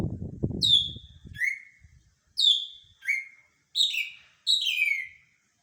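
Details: Greater green leafbird whistling pure, descending notes in quick pairs and short clusters that grow busier toward the end, after a brief burst of low rumbling handling noise at the start.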